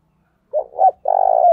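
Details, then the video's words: Decoy spotted dove of the 'thổ đồng' voice type gives its luring call: a soft low note, a second swelling coo, then a drawn-out buzzy coo that falls away at its close. "tiếng cu mồi thúc bổi căng đét/ Tiếng cu gáy mồi chuẩn gáy gọi"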